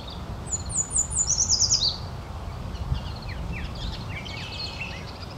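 American goldfinch chirps: a quick run of thin, very high twittering notes, then lower, scattered warbling chips over a steady rumble of background noise.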